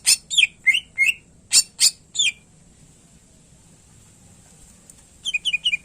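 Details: Greater green leafbird (cucak ijo) singing for tutoring quiet cage birds: a burst of shrill chips and falling whistled notes over two seconds, a long silent gap, then a quick run of three downslurred whistles.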